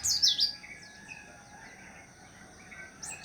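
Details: Short burst of sharp, high, chattering white-eye notes opens, followed by quiet with soft faint whistles and a brief high note at the end.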